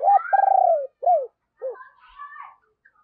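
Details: Deep-voiced decoy spotted dove giving its calling coo to stir wild doves: a brief coo, a long vibrating descending purr, and two arched coos, followed by faint higher bird chirps.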